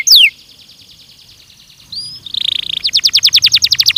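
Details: A single descending whistle, a quiet pause, then a Belgian canary's training song builds into a soft buzz and a fast, steadily louder trill of repeated notes.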